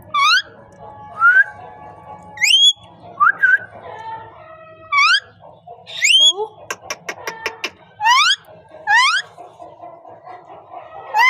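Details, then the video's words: Parrot, said to be talking: a run of sharp, rising whistled notes with bright overtones, spaced about a second apart, broken by a quick burst of clipped clicking sounds near the middle. A faint low hum sits underneath. "Amazing parrot voice talking sound parrot"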